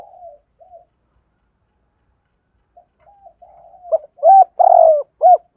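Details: Spotted dove song in the sa thúc, cooing and crowing styles, played to lure wild doves: soft low coos at first, then loud hooked notes and a long mid-pitched purring coo, repeated in a quick series.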